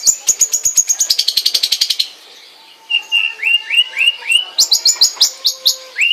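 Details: Rapid, high-pitched trilled run from a long-tailed shrike, a short silence, then a series of rising whistled chirps and a few higher notes, all fairly loud and clean.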